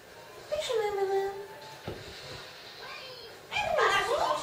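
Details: Two Amazon parrots singing the Greek children's song "Ήταν ένα μικρό καράβι" in voice-like phrases: a long, sliding falling note, then after a pause a wavering phrase that dips and climbs again.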